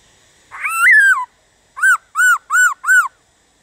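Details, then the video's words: A Black-throated laughingthrush gives a rich, wavering whistled song phrase, then four short, arched, ringing notes in quick, even succession, in quiet surroundings. "Khướu Hót DÉO BỔI - GỌI BỔI kích thích bổi hót"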